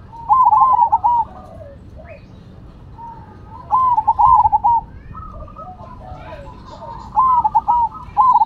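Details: Cemani and Silver zebra doves in full song; rolling, tremulous coo phrases come every few seconds, with a second dove's softer coos filling the pauses.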